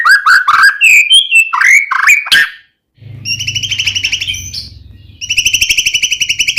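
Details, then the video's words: White-rumped shama (murai batu) singing as a lure to provoke another shama: fast whistled and slurred notes, then a pause and rapid buzzy rattling trills repeated in series over a low hum. "murai batu gacor AMPUH buat PANCINGAN murai batu agar bunyi"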